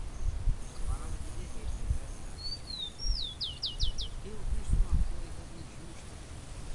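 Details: Bird singing outdoors in nature: a slurred, falling whistle followed by a quick run of about five high, downswept notes, over steady low rumbling and thumping background noise.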